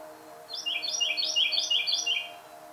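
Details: A Carolina wren in the Smokies or NC Piedmont during spring nesting season belts out a loud, rolling series of repeated whistled phrases over a faint steady hum.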